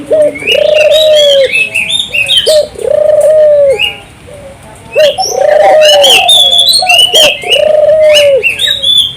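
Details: Lure song of a 'gacor' turtle dove, meant to make local doves join in: long, level low coos, each led by a short clipped note, repeating about every two seconds. Bright chirping of small birds in the background.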